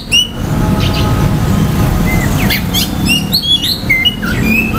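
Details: Oriental magpie-robin song meant to excite other males' aggression and breeding drive: scattered clear whistled notes, short upslurs and chips, growing busier toward the end above a heavy, continuous low background hum.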